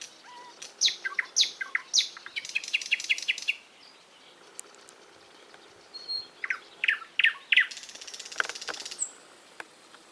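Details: Lively bird song: high slurred chirps, a quick rattling trill, a pause, then more chirps ending in a dense buzzy rattle.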